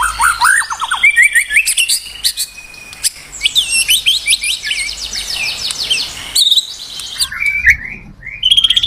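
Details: Rich varied song of a white-rumped shama, played as a lure for others of its kind: quick descending whistled runs, buzzy chatter and fast repeated high notes, broken by a brief pause.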